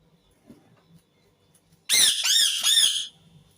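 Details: After a quiet stretch, an Indian ringneck parakeet bursts into a run of four rapid, raucous, wavering screams lasting about a second, in a small indoor space.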